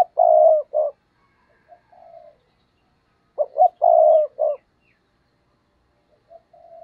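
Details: Spotted dove kept as a decoy to lure wild birds, giving two loud coo phrases about three seconds apart. Each is a long throaty note framed by short ones, with softer, thinner coos in between.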